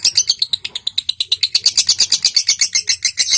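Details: Lovebird chattering (ngekek) meant to encourage other lovebirds to sing: quick bright chirping pulses that speed up into a dense, shrill, rattling chatter rising in intensity toward the end.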